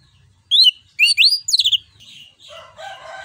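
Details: Orange-headed thrush in loud song, used to stimulate other birds: a run of rising and falling whistled slurs, then a softer rough, scratchy chatter.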